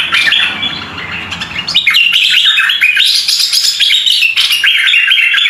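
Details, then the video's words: Red-eyed bulbul in fast, chattering song, a string of quick chirped and warbled notes that starts over a muffled background and then rings out clearly. "SUARA BURUNG MERBAH LEKIR"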